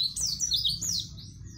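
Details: Brief phrase from a 'gacor' white-eye (pleci), used as a master song for young birds: a few high, wavering whistled slurs blending into one another, then fading.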